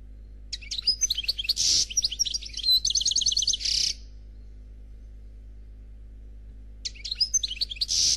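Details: A European goldfinch in flawless Noir Khalwi song pours out dense, fast twittering with buzzy rasps and rattling trills for over three seconds, falls silent, then resumes with another bright chattering phrase.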